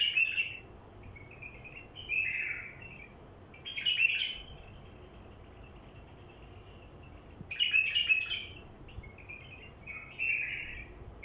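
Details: Wild bulbul singing, played to attract wild bulbuls: short bubbly warbled phrases roughly every two to three seconds over a steady background hiss.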